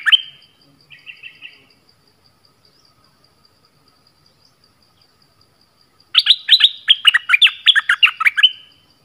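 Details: Orange-headed thrush decoy song meant to lure wild birds: a short whistle and a soft trill, a long near-silent gap with faint regular ticking, then a fast, loud tumbling series of about fifteen descending whistled notes.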